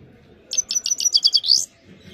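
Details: Single Himalayan goldfinch phrase: a string of seven clipped, high chirps speeding up into a rising, sweeping final note.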